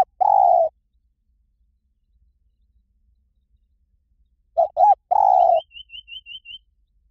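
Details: Spotted dove cooing in the หลิ่วตัน style, meant to set off a trained bird's reply. One long coo, a pause, then two short coos and a long drawn coo. About six thin, high chirps from another bird follow.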